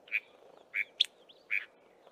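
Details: Small group of chinspot batises calling while foraging in tall acacia trees: clear, piping whistled notes roughly every half second, one sharper, higher note among them, over a soft background hiss.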